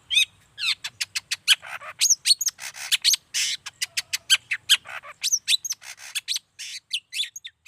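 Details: Long-tailed shrike in full, active song meant to make other shrikes answer; a rapid, unbroken stream of varied sharp chirps, whistles and buzzy notes, several per second, over a quiet background.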